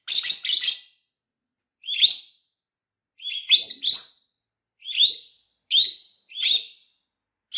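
Shrill, harsh lovebird chirps come singly or in quick clusters of two or three, spaced irregularly about a second apart, with nothing else audible.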